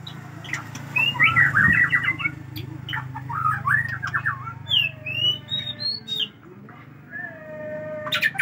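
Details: White-rumped shama, Aceh form, pouring out a very long fill repertoire: jumbled warbling phrases and scattered clear whistles that climb then fade, over a steady low hum.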